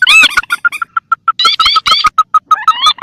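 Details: Rail lure recording pairing mandar (pelan) with tikusan, wetland birds: a steady run of short clipped notes at an even pitch, repeated about five times a second, broken by bursts of rising, harsh upslurred squeals.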